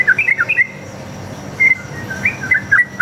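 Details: Sooty-headed bulbul with fast fighting song, used to make caged bulbuls respond: a quick burst of chirpy whistles, a pause, one drawn whistle, then another brief cluster of rapid notes.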